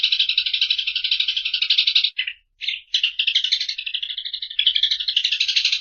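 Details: Eurasian tree sparrow in sustained rattling chatter, interrupted once by a short silence and two chirps, then carrying on as a fast, grating stream.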